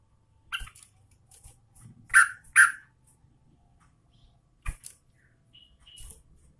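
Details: A female sooty-headed bulbul in breeding condition calls for the male. A pair of loud, scratchy chirps stands out among softer scattered notes, followed by one more sharp chirp.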